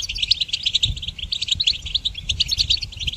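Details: Goldfinch song for training songbirds, a rapid, unbroken warble of high, sweet twittering notes and short trills.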